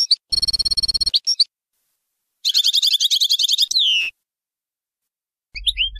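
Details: European goldfinch giving the Bayanam Ghazarat song used to teach young birds: a rapid buzzy pulsing trill, a silence, then a dense rattling twitter ending in a long falling slur, then scattered chirps.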